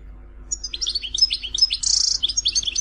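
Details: Tizi Ouzou goldfinch song, Algeria: a high, sparkling series of twittered notes with a brief buzzy, scratchy passage in the middle, continuing in rapid chirps.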